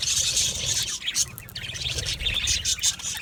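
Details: Brief stretch of budgerigar colony chatter from an aviary: shrill, quick chirps and squeaky warbles pile over one another, with a low rumbling hum beneath.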